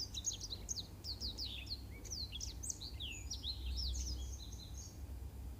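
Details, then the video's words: Black-throated canary song used as a model for training canaries: a fast, continuous stream of high, sharply swept whistled notes and trills, with steady low hum beneath. "Suara Masteran Burung Blackthroat Untuk Kenari"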